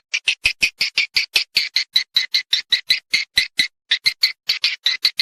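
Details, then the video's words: Crisp, evenly spaced high chirps, roughly four a second, from a recording meant to attract swiftlets to mate and nest in a purpose-built house. "SUARA PANGGIL BURUNG WALET MENGAWAN ASLI / HOW TO CALL SWIFT BIRDS"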